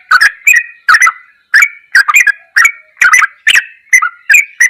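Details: Ropelan goklikan style tutor song of a yellow-vented bulbul: a steady run of quick chirping, warbled phrases with brief gaps, each note dipping and rising, clean background.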